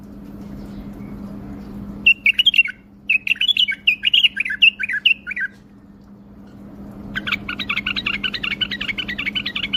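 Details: Tame pet bulbul flicking its wings and singing bursts of bright, bubbly chirping notes in quick phrases, then a faster continuous warble, over a steady low indoor hum.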